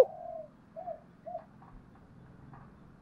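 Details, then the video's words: Spotted dove cooing in the thổ voice style, used to provoke wild doves: quiet, low hollow coo notes, one drawn out and two short, fading into faint background rumble. "Tiếng chim cu gáy giọng thổ gáy gọi/ tiếng chim cu gáy kích bổi hiệu quả"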